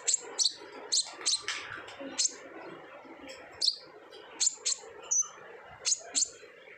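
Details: Widely spaced, sharp high chips from an olive-backed sunbird, single notes and pairs separated by short silences, part of a lure recording made to prompt untrained sunbirds to sing.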